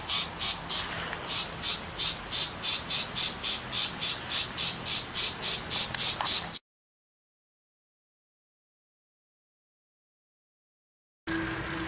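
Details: Six seconds of a countryside tiger shrike's fast, high rasping chatter, evenly spaced notes, are followed by silence. A short burst of a different low hum closes the recording.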